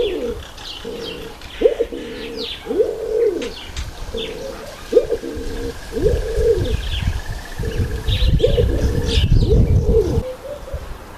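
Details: Speckled pigeon giving deep, soft coos repeated in a steady rhythm, with many overlapping low hoots, faint higher chirps and a brief thin whine in the background.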